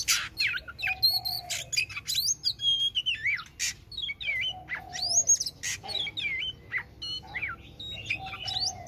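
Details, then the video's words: {'text': 'Oriental magpie-robin singing a rich, varied song of sweeping whistles, slurred rising and falling phrases and sharp clicks, with a few lower drawn-out notes and a soft low background rumble.'} "Chích chòe than hót"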